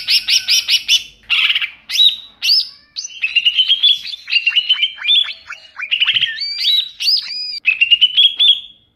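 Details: Wild greater green leafbird, recorded in the wild as a lure sound, delivers a lively, varied run of high chirps, sweet whistles and rapid trills, with phrases changing every second or so and no other sounds.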